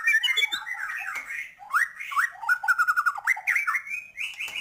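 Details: White-rumped shama in full, varied song to stir other birds: continuous whistled phrases, sharp upslurred notes and a rapid stuttered trill, with mixed squawky and clear tones throughout.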